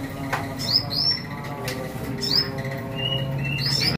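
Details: A canary at a bird kiosk, described as newly finished moulting, bright extra-yellow and starting to sing, gives a few bright, high upward-sweeping whistled notes in scattered bursts over men talking and busy shop noise.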